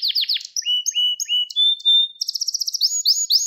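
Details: Gloster canary training song for stimulating males. Sharp downslurred notes, then slow whistled slurs repeated at a steady pace, a thin pure tone and a quick high rattle ending in rising sweeps.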